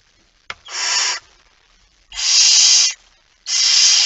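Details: Barn owl with a mouse, the male arriving at 23:55 on 17 September 2019: a sharp click, then three loud, rasping hisses of roughly half a second each, spaced about a second apart.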